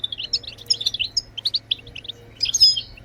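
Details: European goldfinch, a songbird, in a rapid twittering song of short bright chirps and trills, tightly packed and unbroken for three seconds, with a faint low hum beneath.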